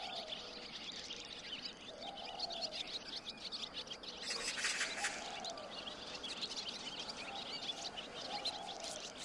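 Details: Barn swallow (Hirundo rustica) twittering its song in a fast, high, scratchy stream of chirps, under a recurring low hum.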